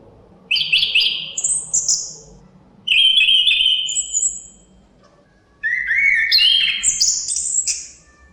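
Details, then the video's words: Chestnut-capped thrush singing three bursts of bright whistled phrases, each a quick run of clear notes jumping between low and very high pitches, with short gaps between bursts and a soft wind murmur underneath. "Suara Kicauan Burung Terapi Anis Kembang Ada Suara Angin"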